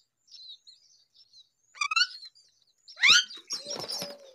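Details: A hungry myna chick calls for food with soft high chirps, then loud rasping harmonic squawks rising to a harsh noisy burst near the end.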